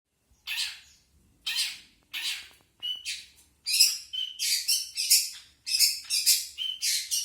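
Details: Long-tailed shrike giving its natural song without learned mimicry: harsh, scratchy chattering bursts, slow and spaced at first, then a quicker run of rasping notes mixed with short clear whistled notes.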